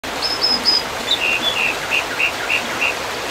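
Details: American dippers at their nest: a series of short, high, buzzy notes, about three per second, over the steady rush of a stream.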